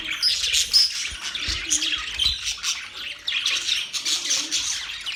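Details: Budgerigars singing while mating, steady high twittering and buzzy warbles from more than one bird, with a sharp whistled note early on and soft low thumps in the background.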